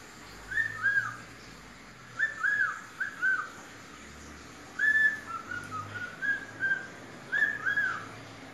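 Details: Pet parrot whistling the children's tune "Atirei o pau no gato" on request: clear mid-pitched whistled phrases of two or three notes, some slurred down, repeated in bursts separated by short pauses, over a quiet low hum.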